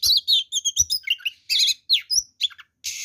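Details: Oriental magpie-robin delivering a combative, richly varied song meant to provoke rival birds: quick slurred whistles, chattering syllables and a rasping hiss at the end, phrases following each other almost without pause.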